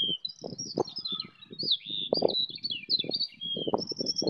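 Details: Several skylarks fill a wheat field near Bath, England, one singing in flight, recorded on a phone. Its high, twisting warble of quick slurred notes is steady, with frequent low rumbles of wind noise underneath.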